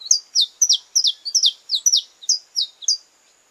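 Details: Courtship song of a Brazilian saffron finch: a rapid, unbroken run of bright, downward-slurred chips, often doubled, about three to four per second, ending abruptly. A thin, constant high tone sits underneath.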